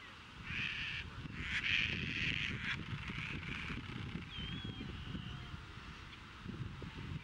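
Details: Caspian terns courting at Montrose Beach, Chicago, 22 April 2024, with fish offered to potential mates and mating. Several grating, drawn-out cries come early, then a thin rising whistle and softer rasps over wind noise.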